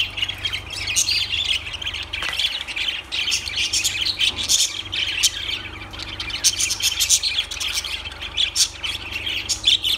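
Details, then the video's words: Lovebirds in nonstop twittering chatter, a stream of high squeaky chirps and harsher squawks tumbling over each other, low hum beneath. "Lovebirds Sounds Birds Singing"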